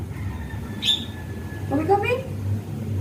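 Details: A hand-trained Javan myna (Acridotheres javanicus) mimics human speech: a sharp high burst, then a short voiced two-syllable word "kopi" with a rising tone, repeated, over a steady low hum.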